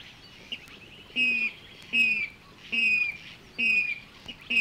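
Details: A water rail in the reed beds of Matsalu, Estonia (1979 field recording), gives harsh, squealing notes, about five in under five seconds, each slightly falling, over a low background hiss.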